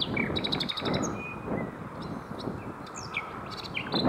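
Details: Three Common Nightingales singing around 7 pm on the coast between Hoek van Holland and Scheveningen, Netherlands: rapid repeated chips, short whistles and sliding notes at varied pitches, over a steady background hiss.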